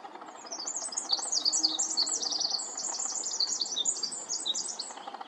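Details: Pacific wren (Troglodytes pacificus) in San Francisco, California, sings loudly: a long, rapid, high-pitched cascade of tinkling trills and buzzy notes poured out without pause, over faint background hiss.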